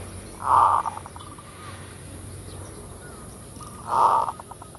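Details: Zebra dove lure recording in the full kerot style: two phrases, each a loud rolling burst followed by a tail of short, evenly spaced clipped notes, about three seconds apart, over a steady faint background hiss.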